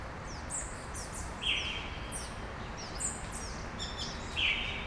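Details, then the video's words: Birds at sunrise in Brasília, Brazil: sparse high chirps and quick downward-slurred tweets, with a few stronger buzzy notes about every one and a half seconds over steady background noise. "Passarinhos ao amanhecer, em Brasilia"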